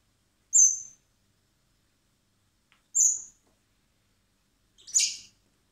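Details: Common blackbird nestlings fed by hand at a wildlife rescue centre in spring before their release; three short, high, thin begging squeaks, roughly every two seconds, the last one rougher and broader.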